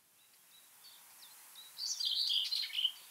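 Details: A Common Whitethroat gives its short, scratchy, hurried spring song lasting about a second, preceded by faint, thin notes of a distant Common Chiffchaff.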